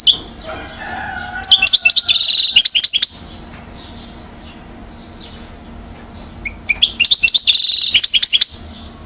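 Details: Song of a one-year-old European goldfinch at Mouzaia, Algeria, 2012: two lively phrases of sharp high chirps running into a buzzy rattle, with a long quiet gap between them.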